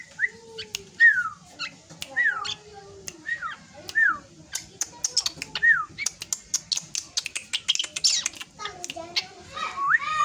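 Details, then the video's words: Young drongo nearing adulthood gives clear downslurred whistles about once a second. A burst of dry rapid clicking follows, then a final rising whistle. "Beranjak Dewasa Ini Suara Srigunting Yang Paling Unik dan Fenomenal"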